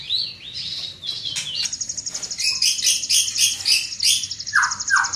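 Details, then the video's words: Big-bodied greater green leafbird pouring out a varied song: sliding whistles, then a rapid high rattling trill with chirps layered over it, ending in two lower slurred notes. "Burung Cucak Ijo Body Besar Suara Tembus Joooos"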